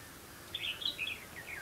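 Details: Red-whiskered bulbul recorded while being trapped on 2 October 2016, in competitive song: one quick, lilting phrase of slurred whistled notes, rising then dropping, lasting about a second over faint background noise.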